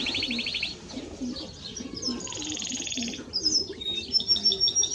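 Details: Timbrado Español canary delivering fast pulsed trills, first high and bubbling, then a lower rolling rattle, followed by clipped chirps and thin whistles.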